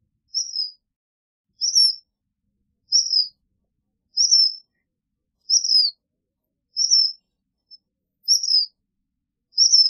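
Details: A black phoebe repeats short, high, downslurred chip-like notes, eight of them, at steady intervals of just over a second for ten seconds with no other sounds.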